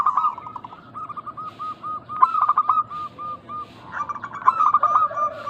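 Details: Local zebra doves cooing as a lure to make other doves answer. Quick bursts of staccato notes and runs of soft, evenly spaced coos overlap, as if from more than one caller.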